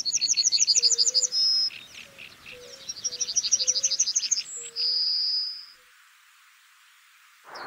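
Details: Yellowhammer, a farmland breeding bunting of Britain and western Europe, singing twice: a fast, high, jingling run of repeated notes ending in a long drawn-out wheeze, the familiar 'little bit of bread and no cheese'.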